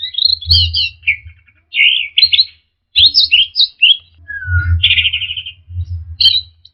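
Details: Lively orange-headed thrush song for training caged birds to respond: tumbling whistled phrases, a descending slur and a fast buzzy trill, phrases separated by short gaps, with a low hum beneath.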